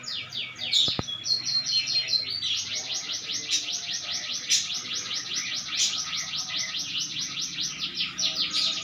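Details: Canary starting with a few scattered notes and a low thump, then launching into a long, steady, rapid trill of crisp downward-sweeping notes, with occasional clicks.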